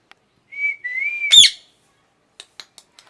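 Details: Parrot calling: a long, level whistled note that dips and rises, cut off by one loud harsh screech, then a few faint clicks.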